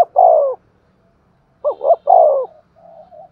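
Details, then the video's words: Spotted dove giving an energetic thúc gù coo: a drawn-out falling coo, a pause, then two short clipped notes leading into another long, mellow, descending coo, ending in a faint soft trailing note. "Tiếng chim cu gáy thúc gù cực sung"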